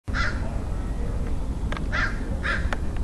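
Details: A crow in San Diego, California, on 27 February 2009 gives three harsh, hoarse caws, one at the start and two close together near the end, over a steady low background rumble.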